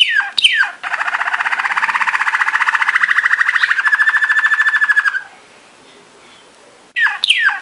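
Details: Malinois Waterslager canary training song: two sharp descending slurs, then a long steady bubbling roll of about four seconds, a short quiet gap, and another descending slur.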